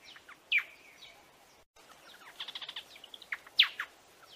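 Buff-sided Robin giving sharp, high downslurred chirps, with a quick run of short ticking notes between them; quiet background otherwise.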